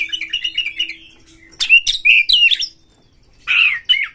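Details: Excitement-raising Oriental magpie-robin lure: a wavering warbled phrase, a pause, then loud sliding whistles and twisting notes, ending in a strong buzzy syllable, over a faint steady low hum.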